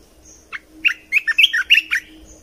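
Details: Red-whiskered bulbul cage-bird song used to teach young birds and stir up birds: one short, fast phrase of about six bright, warbled whistles that slur up and down, over a quiet low hum.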